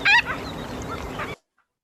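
A Marbled Godwit gives one loud, nasal, honking call, then fainter rasping notes over steady background hiss before the sound cuts off.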